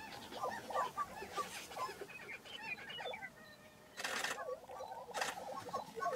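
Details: Chorus of lesser prairie-chickens at a Kansas ranch lek in April 2023, with rapid yelping and cackling notes running in bouts, broken by several loud broadband rushes.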